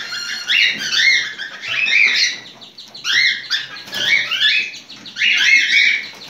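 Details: Cockatiel in breeding condition giving its mating call: warbling, chirpy whistled phrases with rising and falling slurs, repeated in bursts roughly every second.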